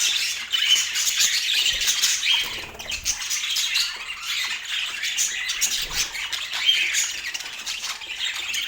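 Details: In Portland, a group of pet budgerigars keeps up a steady, hissy stream of high chirps, squawks and warbles, with a few louder squeaky notes standing out over the constant chatter.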